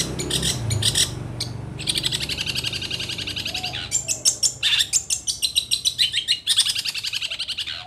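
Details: Long-tailed shrike of Situbondo origin delivering a continuous rapid chatter of buzzy, rattling high notes in long trilled runs, strongly pulsed, over a noticeable low rumbling background.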